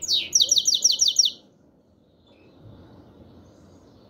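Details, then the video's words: Black-headed European goldfinch giving its 'chir chir' call: a quick run of about seven bright, high, slurred chirps in the first second and a half, then near silence with faint background hum. "Щегол чир чир"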